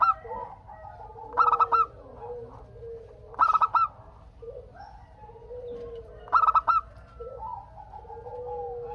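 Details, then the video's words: Local zebra dove (perkutut) song used to draw answers from other doves: three rapid stuttering coo bursts about two to three seconds apart, over softer overlapping coos from other birds. "Perkutut Lokal Gacor Untuk pancingan kutut perkutut agar saling bunyi BERSAUTAN"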